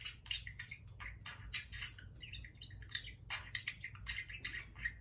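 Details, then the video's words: A parakeet chatters in a quick run of scratchy, warbled syllables and high clicks, with a low steady hum underneath. "Parakeet talking"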